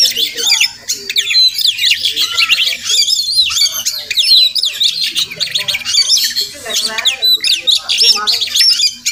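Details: Oriental magpie-robin, a wild village bird that comes to a house every morning, delivers an unbroken stream of sharp rising and falling whistles mixed with harsh squawking notes, busy and overlapping throughout.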